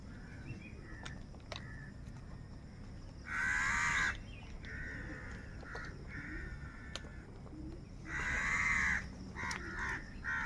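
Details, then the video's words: Crows squabbling over food: two long, harsh, rasping caws near three and eight seconds stand out, each close to a second long, with quieter scratchy calls filling the gaps against a low background hum. "Kaka Sound and Noises of Crow Birds | কাকের ডাক Crow Sound Crow ki Awaz"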